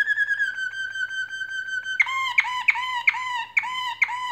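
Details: Nest-building canaries sing a sustained, flute-like whistled note for two seconds, then switch to a series of sharp ringing notes repeated about every third of a second.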